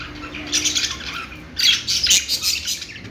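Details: Budgerigar, also called parakeet or Australian parrot, giving high, scratchy chirps in two dense bursts with a brief quieter gap between them.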